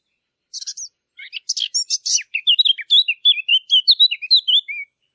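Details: Rapid bird chirps: a few harsh buzzy notes lead into a string of crisp, high, whistled tweets repeated quickly for around three seconds.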